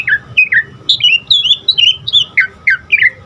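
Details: Asian pied starling song played to coax caged starlings into singing: a run of clear whistled notes, each sliding downward, given about three per second with varied pitches and a faint low hum beneath.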